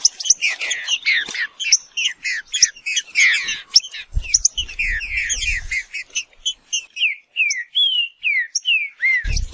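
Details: Green-winged saltator (Saltator similis) sings: a long stretch of rapid, crowded chirping and twittering, then slower, clear downslurred and arched whistles toward the end, with occasional low thumps in the background.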